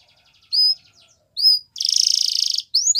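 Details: A Belgian canary sings: faint soft ticking, two clear rising whistles, a loud buzzy rolling trill, then quick upswept notes.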